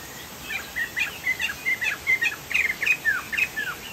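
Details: Chinese hwamei from Sumatra singing energetically: bright varied whistles, some rising and some dropping, delivered in quick succession about four per second, ending in two long downward slurs.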